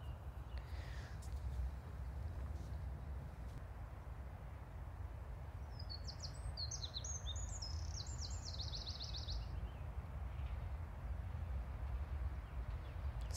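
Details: A Eurasian wren beside the River Nene on a spring day gives a brief burst of rapid, high, tinkling notes lasting about four seconds, half buried under heavy outdoor wind rumble.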